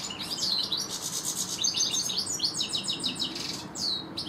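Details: European goldfinches, a pair in a garden, pour out a continuous stream of fast, bright, liquid twitters and buzzy trills, high-pitched and unbroken throughout, over a soft background hiss.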